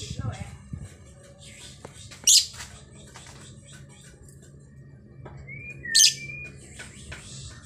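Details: A very vocal female lovebird (Agapornis) gives two sharp, shrill shrieks about four seconds apart, with a few thin chirps between, over a low background hum.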